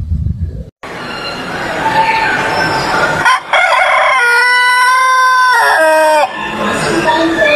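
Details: Rooster crowing in a yard: a long, loud crow of stacked harmonics, rough at first then steady and level for about three seconds before dropping off, with a steady high tone in the background.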